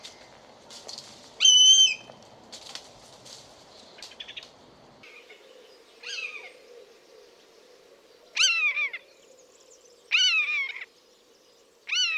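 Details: Buzzard in natural habitat: scattered short whistled notes, then several sharper calls that rise quickly and slide down, spaced about two seconds apart, over a background hum that drops away midway.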